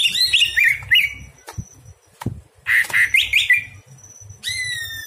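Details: Greater green leafbird singing at night, recorded as a tutor song for training other birds: rich warbling phrases with quick rising and falling whistles, pauses between bursts, sharp clicks, a steady high thin tone and low hum behind.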